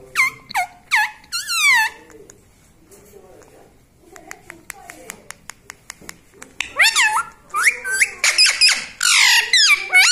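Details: Pet green parrot, tagged as a ringneck, talking indoors and said to say "mummy": high, harmonic swooping and falling calls in quick bursts at the start and again near the end, with a run of sharp taps or claps in the quiet middle.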